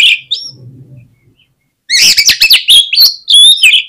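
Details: Oriental magpie-robin singing to provoke rival magpie-robins: an opening slurred whistle, a pause, then a fast, loud burst of mixed sharp chips, rising and falling whistles and trills, delivered in quick succession.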